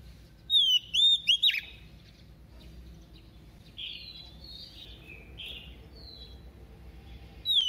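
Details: White-rumped shama hen, used as a decoy, singing in a double voice to excite males. An opening burst of sharp, looping whistles, then softer drawn-out whistles, and a bright note at the very end.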